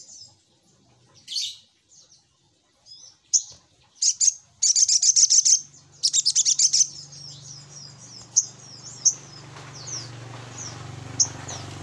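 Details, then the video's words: Little spiderhunter lure call with scattered high chips and dense buzzy chatter bursts early on, fading into thin scattered notes over a rising low hum. "Suara Pancingan Burung SogokOntong"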